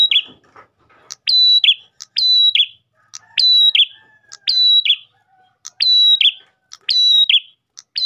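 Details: Song of an Ash tailorbird meant to draw in other tailorbirds: rhythmic tick-whistle-buzz phrases, each ending in a falling burr, repeated roughly every 1.1 seconds after a few soft rustles.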